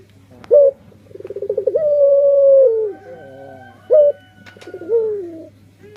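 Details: Puter pelung dove cooing: a brief sharp coo, then a quickening series of rolling pulsed notes that runs into a long sustained mellow coo, followed by another short coo and a falling rolled phrase, with a low background hum.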